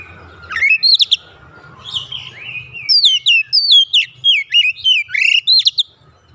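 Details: Caged oriental magpie-robin in training, singing loudly and continuously: varied whistled phrases with rapid slurred up-and-down notes, buzzy trills and sharp high flicks, delivered in quick bursts.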